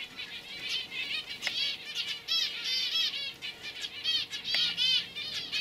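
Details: Young canaries from 2015 giving a lively song of quick repeated trilled phrases in bursts, a few sharp clicks and wing flaps between them, steady faint hum underneath.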